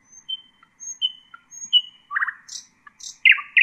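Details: Nightingale song for teaching young birds: soft high whistles alternating with lower whistled notes, a short burst of repeated chopped notes, buzzy high fragments, then loud downward-sweeping notes.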